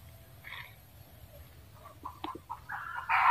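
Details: Red junglefowl giving soft scattered clucks that build into a loud harsh squawk at the end, with a brief higher note near the start.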